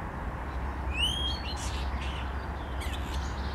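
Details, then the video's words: Common starling copying a grey partridge, 10 April 2021: a sharp rising whistle rich in overtones, then harsh rasping notes and a short chattering tail, with a continuous low-pitched hum beneath. "Szpak imituje głos kuropatwę."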